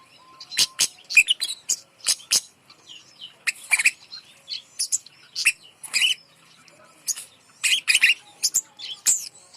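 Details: Song of a bird placed high to encourage silent birds to sing: clusters of piercing high chirps and twittering notes, loud bursts spaced by short pauses.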